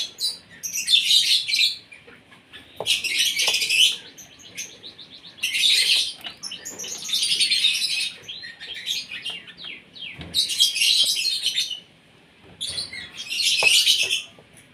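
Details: Captive Asian pied starling during morning feeding, kept to sing often. Loud bursts of harsh, chattering high-pitched song, roughly every two to three seconds, with quiet gaps between phrases.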